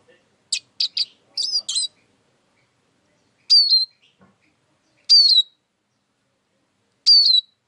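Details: Eurasian siskin singing: a few short high chirps, then a thin falling whistled note with a buzzy edge, repeated roughly every one and a half seconds against a quiet background.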